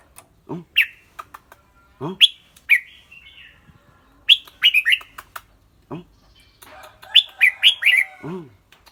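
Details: Caged red-whiskered bulbul singing in a clear voice mixed with chattering 'rik' calls: bright chirped phrases in clusters, some rising and falling, plus low downward-sliding sounds at intervals and brief clicks between phrases.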